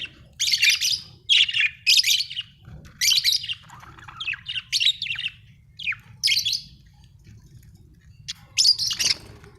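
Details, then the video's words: Budgie in a happy mood, chirping in loud bursts of harsh, buzzy chatter mixed with sharp squeaks, each burst lasting under a second and coming in quick succession. "happy budgie chirping sound"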